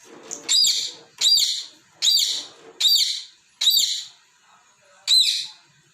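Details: Pet parrot playing with balls, scolding them as they move; six loud grating high chirps, roughly one per second, with a longer gap before the last.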